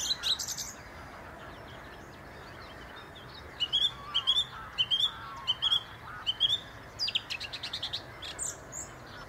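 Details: Song thrush on a treetop at the Inn River delivering varied phrases: a harsh high opening, then a series of repeated clear whistled notes, followed by scratchy, buzzy and twittering bits; constant low hiss behind.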